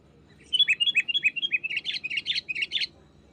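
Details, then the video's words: Dense, lively phrase from a wild sooty-headed bulbul pressing a rival: about three seconds of fast, bubbly chirps with dipping and rising inflections, delivered without pause. "SUARA GACOR BURUNG KUTILANG MENEKAN LAWAN"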